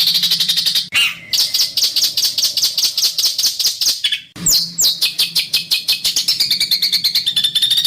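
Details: Harsh besetan master song from a bird used for training. Dense, scratchy high chatter is repeated rapidly, broken by two short pauses, then resumes with sharp downslurred notes and fast rasping bursts.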